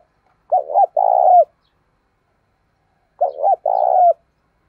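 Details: Decoy spotted dove calling to stir wild doves, voice style known as thổ sấm; two clean phrases, each a stuttered double coo then a long mellow note, separated by nearly two seconds of silence.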